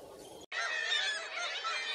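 A gull gives harsh, loud, raspy squawks in a continuous burst after a brief pause; the rough, noisy calls run steadily with no other sounds.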